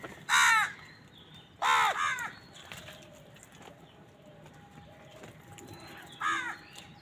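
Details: Crows fighting for food on a winter morning. Three loud, raspy caws, the middle one doubled, spaced a few seconds apart. A faint, thin tone and soft distant calls sit between them.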